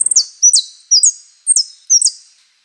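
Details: Saffron finch song of the prio, golpe y pitada style: bright, high, doubled slurred notes repeated about every half second, each with a soft fading tail, on a quiet background.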